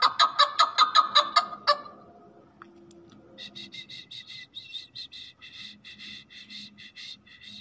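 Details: Male chukar partridge (Alectoris chukar) calling: loud, clucking chuk-chuk notes come fast, about four per second, then give way to softer, higher repeated chattering notes.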